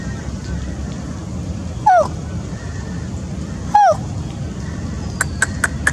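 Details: Spotted Owlet at Suan Rot Fai park, 20 October 2016, giving two harsh, downslurred notes about two seconds apart, then a quick burst of short, higher chips, over a steady low rumble.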